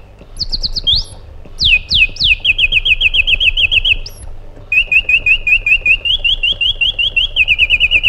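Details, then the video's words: White-eared bulbul, described as an Iraqi bulbul, gives bright whistled notes, then long fast runs of rapid chirps, clear and loud, over a quiet background. "Magnificent Harmony by an Iraqi Bulbul"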